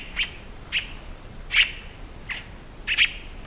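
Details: Scarlet-throated Tanager uttering five loud, clipped notes with whistled overtones, evenly spaced about every half second to second, background otherwise quiet.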